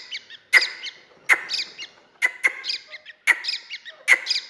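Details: Grey francolin chick, known locally as dakhni teetar, giving sharp high chirps with a bright squeaky peak, loud notes roughly every second with softer twittering between them, no other sounds clear.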